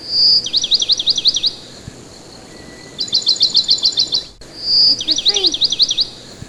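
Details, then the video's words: Pet parakeet tweeting as its owner speaks to it, giving three bursts of rapid, high, sharply repeated chirps, each about a second long, some starting with a brief piercing whistle, over a quiet room hiss. "Talking to my bird the bird tweets"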